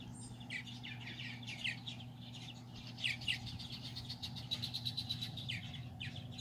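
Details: Parent purple martins feed babies on July 9, 2020, playful and calling in quick rippling chirps and rasping notes that rise and fall in clusters every second or so. A low mechanical hum sits beneath.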